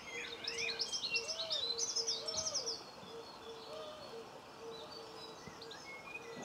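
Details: Common linnet in a Cornwall garden, filmed 26 November 2015; a quick run of high twittering chirps early on, then quieter notes, while a dove coos low and steadily throughout the background.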